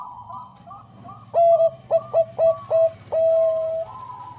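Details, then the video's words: Bangkok-type zebra dove singing in a clear voice: soft background cooing, then a loud run of five short, pure, even-pitched coos that stutter into a long, steady, sustained final note. "PERKUTUT BANGKOK GACOR SUARA JERNIH MENGUNDANG BUNYI"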